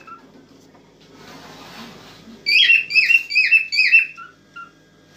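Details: Cockatiel singing in an excited state to prompt a female to mate: after a soft rustle, a single run of four loud, descending whistled notes, followed by two faint short peeps.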